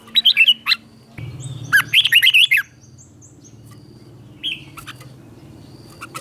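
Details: Red-whiskered bulbul singing a doubled-style teacher song for trainee birds: two brisk phrases of fluty, tumbling whistles, then mostly a low hum with one faint note.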